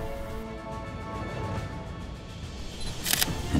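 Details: Steady music with sustained tones fills the recording, ending in a sharp click like a camera shutter; no animal voice stands out.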